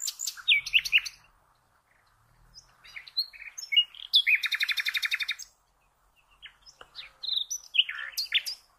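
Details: Common nightingale song for training cage birds: sharp opening notes, a pause, varied whistles, then a rapid rattling trill of evenly repeated notes lasting over a second, silence, and a final chirpy phrase.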